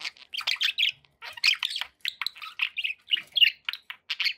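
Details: Pet budgerigars chattering in bird company, a dense run of short, squeaky chirps and warbles in quick succession with brief pauses, bright and high-pitched throughout.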